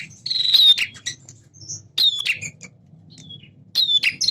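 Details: Energetic male prinia, singing a mix of semi and klawu styles meant to spur captive birds to respond: three short bursts of harsh buzzy trills with a thin descending whistle, separated by near silence.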